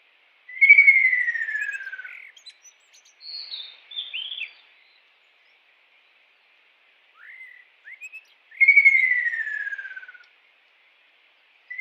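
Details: Kingfisher in the wild giving two long, loud, downward-sliding whistles about eight seconds apart, with short upturned notes between them. The surroundings are otherwise silent.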